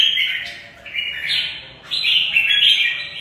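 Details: Fighting song from a caged red-whiskered bulbul: loud, slurred whistled phrases in two bursts separated by a short dip, each ending on a bright higher note.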